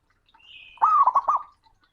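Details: Male zebra dove calling a rival, loud and booming: one low cooing phrase that starts with a drawn-out note and breaks into three quick stuttering coos, preceded by a faint high whistle.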